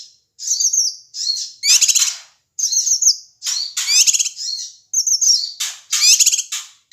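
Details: Male Ashy tailorbird from Sumatra in a noisy bout meant to provoke other birds: thin high whistled notes alternate with rough, crackling buzzes, groups repeating about every two seconds.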